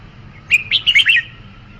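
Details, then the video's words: Red-whiskered bulbul singing one brief phrase of about five quick, rich, warbling whistled notes rising and falling, lasting under a second against a quiet hiss. "Tiếng chim chào mào"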